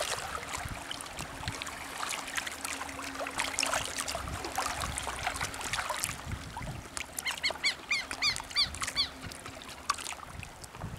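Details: A White-backed Stilt (Himantopus melanurus) in Brazil gives a quick run of sharp, yapping notes near the end, over a steady wash of noise.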